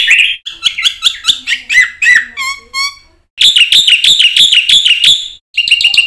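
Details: Black-winged myna in energetic 'gacor full isian' song, used as a training lure for other mynas. It gives fast bursts of harsh, chirpy whistled notes and two lower clear whistles, then a short silence and more rapid, bright chatter.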